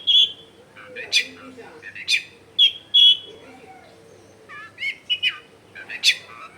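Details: A Long-tailed shrike sings in bursts of sharp, high notes and rasping squeaks separated by pauses; recorded in a crowded residential setting as lure material, with a low hum and faint voices behind.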